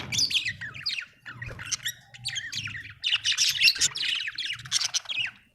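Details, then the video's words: Budgerigar, described as happy, chirping in bursts of rapid, scratchy warbles and squeaky notes, with short gaps between phrases and a faint low hum underneath. "happy budgie chirping sound"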